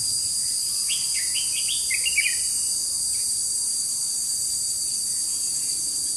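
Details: Red-whiskered bulbul used as a decoy to trap wild bulbuls, recorded 21 July 2016: a brief burst of quick warbled notes at about one to two seconds, under a loud, unbroken high insect drone.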